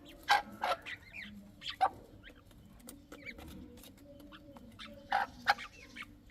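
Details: Young chukar partridges uttering loud, sharp peeps in short bursts, separated by softer, quicker chirps and brief quiet gaps.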